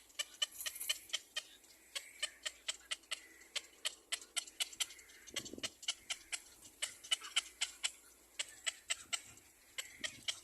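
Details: Young black-crowned bird following its mother, repeating sharp, high, ticking screams three to four times per second over a long steady run, with a short rustle partway through.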